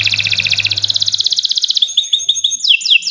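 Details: Canary in long energetic song for tutoring birds: a dense rapid trill of about four notes per second gives way to sparse chips and quick descending swoops.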